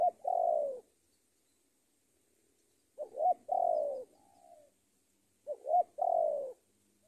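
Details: Lure call of a decoy spotted dove calling out a rival. Three phrases repeat roughly every two and a half seconds, each with two clipped notes and a drawn-out descending coo, one followed by a faint trailing note.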